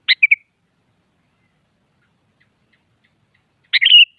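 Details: Sooty-headed bulbul in the morning, challenging a rival: a quick three-note chirpy phrase, then after a pause a longer bubbling phrase ending in a slurred whistle, in a silent setting.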